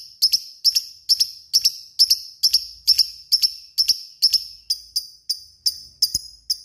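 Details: Fighter lovebird repeating shrill paired chirps at an even pace, about two each second, the notes thinning toward the end.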